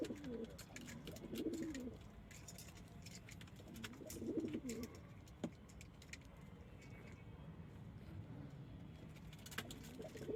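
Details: Domestic pigeons, local, Indian, Chinese and homing breeds; soft, low rolling coos come in two bursts several seconds apart over steady background hiss and scattered clicks.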